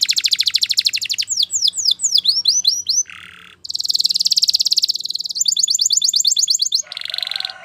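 A canary sings a fast, rolling song: rapid trills, quick descending chirps, a low buzzy rattle, then more high trills and a brief harsh note.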